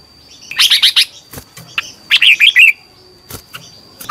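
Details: Red-whiskered bulbul at morning song practice in a cage: a quick chattering burst, a few knocks, then a bright phrase of looping whistled notes, with a faint continuous high whine.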